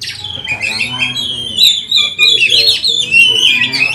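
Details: Oriental magpie-robin singing hard, a lure recording meant to train magpie-robins and rouse them to anger. Rich, rapidly changing whistled phrases and shrill rising notes run almost without pause, over a soft low background murmur.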